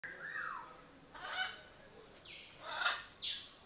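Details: Sulphur-crested cockatoo in Belgrade Zoo, Serbia, recorded in August 2022 with a Panasonic AG-CX350 camera: a faint sliding note, then three harsh, broadband rasping screeches about a second apart over steady zoo background.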